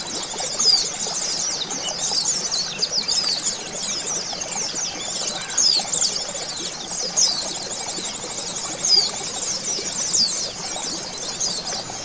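Oriental white-eyes twitter in a dense, high, continuous chatter of rapid thin notes, several voices overlapping with no pause.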